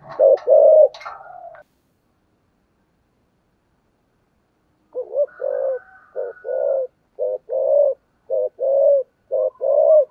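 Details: Spotted dove giving thổ sấm voiced thúc gù coos: a couple of rough coos with other noise at the start, several seconds of silence, then a run of about ten short, low, clipped coos.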